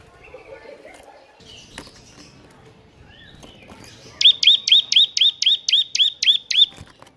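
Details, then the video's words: Bar-winged prinia, ngebren style, breaking out of soft background chatter into a steady run of ten high, evenly spaced chirps at about four per second. "Ciblek NGEBERN GACOR"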